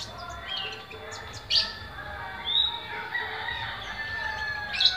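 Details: Sunbird, captive, singing from its first day in Pemalang, Central Java, Indonesia: thin, high chirps and short sharp twitters at an uneven pace, with a busy murmur of other birds in the background.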